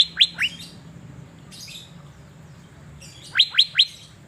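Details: In Banjarmasin, Indonesia, a sunbathing Asian fairy-bluebird gives two quick downslurred notes, then after a pause three more bright, sharply falling notes, with faint chirping behind.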